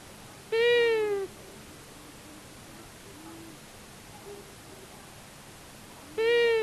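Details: Long-eared owls, a male and a female, visiting a common buzzard nest at Tiszavasvári, Hungary, on March 23, 2022, caught by a solar-powered live nest camera: two drawn-out, nasal, slightly falling calls about five and a half seconds apart over faint background hiss.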